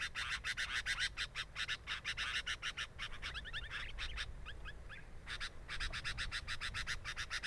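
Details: Sooty-headed bulbul at its nest, filmed by a camera placed there: fast, harsh, broadband bursts repeated about three times a second, broken midway by a run of short slurred whistled notes.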